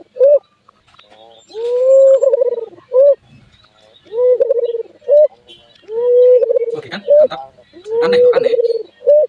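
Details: Albino Barbary dove repeating its odd call: short sharp note, then long low coo breaking into quick pulses, cycling roughly every two seconds, with some rustling and clatter near the end.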